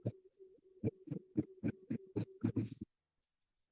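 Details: A Pectoral Sandpiper, inflating its chest in a barrel-chested display, gives a deep, hollow hooting series of about four throbbing pulses a second over a low droning tone, stopping abruptly after three seconds; heard on the breeding grounds at Barrow.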